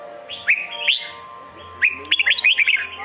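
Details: Red-whiskered bulbul, Sông Kôn type, giving a clear rising whistle and a sliding note, a pause, then a lively string of about six bubbly whistled notes; a low steady tone runs faintly underneath.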